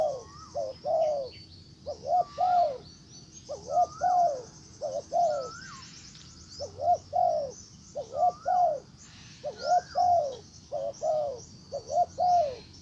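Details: Spotted dove, a decoy calling to a wild bird, repeats low mellow phrases many times: quick double coos followed by longer falling coos, with occasional higher rising whistled notes and constant high chirring behind.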